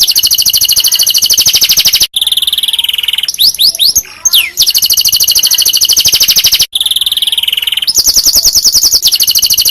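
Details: Canary tutor song for other canaries: long continuous high-pitched rolling trills, broken by a lower trill and a burst of rapid swooping slurred notes, then more fast even rolls.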